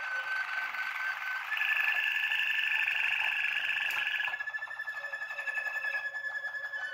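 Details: Waterslager canary, a young bird from 2020, singing in January 2021: sustained rolling trills around the middle register, then a slower bubbling, water-like pulsed phrase repeated rapidly, with faint background hum.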